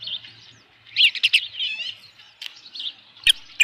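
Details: Ranch osprey nest at 7:55 PM on 15 July 2018 as a headless fish comes in: rapid, wavering high whistled chirps, ending with sharp clicking knocks.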